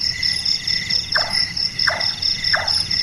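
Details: Night-active Large-tailed nightjar, Caprimulgus macrurus, locally burung tukang kubur: three hammer-like chonk notes, each falling sharply in pitch, spaced about 0.7 seconds apart over constant shrill insect song.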